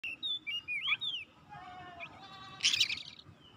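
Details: Oriental magpie-robin singing in full, vigorous form while seeking an opponent: a few loud whistled slurs rising and falling, then quieter thin notes and a short harsh, rasping burst near the end.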